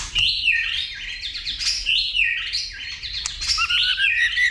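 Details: A white-rumped shama sings hard, stimulated by a female, clicking and flicking its tail. Its dense whistled phrases repeat quickly, each sliding upward, and end with lower falling notes.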